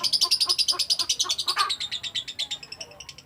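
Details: Lovebird delivering a long ngekek chatter: a rapid, even string of high, sharp notes, about three to four per second, slowly dropping in pitch and fading toward the end.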